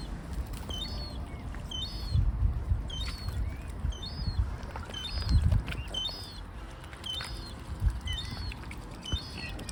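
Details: Gull at a lake where swans are hand-fed, a small seagull screaming against a bigger one: sharp, high screaming calls about once a second, each bending downward, over low thumps, splashing and a person speaking.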